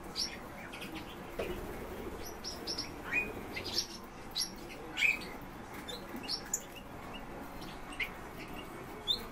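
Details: European bee-eaters calling: short, high chirped notes scattered irregularly, some sliding, over a steady background hiss.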